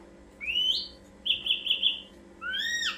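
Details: Lure song of the ashy drongo: an upward-sweeping whistle, a pulsing held note, then a bright whistle curving up and dropping down.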